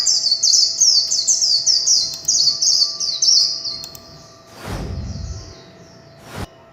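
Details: Warbling white-eye, kept bird, delivering líu chòe song as a long run of rapid high descending twitters that fades after four seconds, followed by a dull thump and a sharp click.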